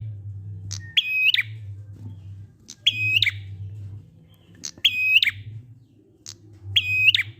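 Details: Prinia singing in the ngalun style, used to coax silent prinias into singing: a sharp click, then a flat, ringing whistled note with a clicking end. The phrase repeats about every two seconds over a low steady hum.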